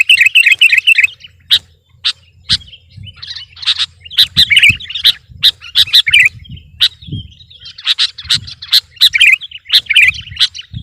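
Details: Sooty-headed bulbul singing to dominate rivals: an energetic, uneven mix of chattering trills, sharp chips and brief warbled phrases across eleven seconds, with many abrupt loud notes.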